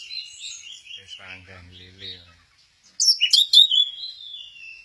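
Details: Orange-headed thrush singing at Kesamben while doing its 'goyang inul' swaying dance: high, slurred whistled phrases, then a pause with a man's low voice, then a sharp burst of bright, squeaky notes trailing into a falling whistle.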